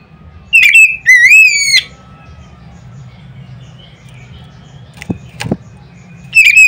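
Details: Oriental magpie-robin giving a loud provoking song: two or three bright rising whistles, then quiet with a couple of sharp clicks and one last whistle at the end, faint hum underneath.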